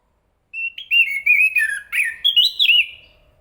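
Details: Chestnut-capped thrush (Zoothera interpres) delivering a continuous warbled song of sweet whistled notes, wavering and slurring up and down in quick succession, ending on a higher rising-falling whistle.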